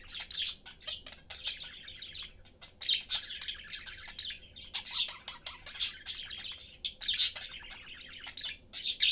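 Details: Domestic parakeets, a mother, father and chick, chatter while eating; continuous rapid warbled twitters, clicks and shrill chirps overlapping densely, with loud peaks every second or so throughout.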